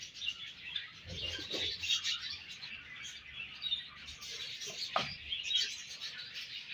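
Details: Many budgerigars in a colony chirping in the morning: an unbroken, busy twittering of sharp high notes and warbled phrases overlapping one another, with a few soft knocks underneath.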